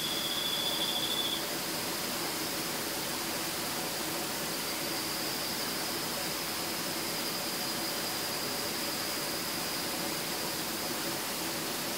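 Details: Steady broadband hiss fills the recording, with a brief thin high tone at the very start and no clear animal voice.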